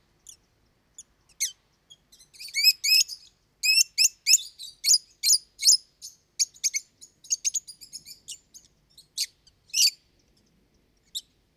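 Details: Lovebirds, kept as pet parrots, calling loudly and often: clusters of sharp, high, harsh chirps and squeaks, some doubled, spaced by short silences.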